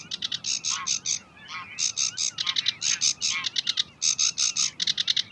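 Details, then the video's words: Sedge warbler song from the Uitkerkse Polder in Belgium, May 2016: bursts of grating, rasping notes repeated in quick groups, with short pauses and a few lower slurred sounds between. "Phragmite des joncs (Acrocephalus schoenobaenus) Sedge Warbler"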